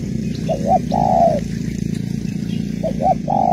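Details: Female spotted dove calling to stimulate a male, a Malaysian type: two short cooing notes followed by a long, level coo near the same pitch, the phrase repeated after a pause, over a low background hum.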